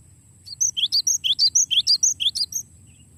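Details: Cinereous tit with a long rolling song used for songbird training: crisp whistled notes in a rapid high-low alternation, some fourteen in two seconds, framed by quiet and a steady low hum.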